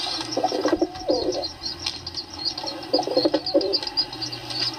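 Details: Pigeon cooing indoors, a low hollow coo heard twice with a faint chirping bird and slight background hiss.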